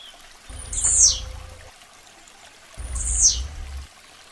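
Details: Blue-black grassquit song: two short, high, buzzy notes sliding downward, given about two seconds apart, each accompanied by a low muffled thump.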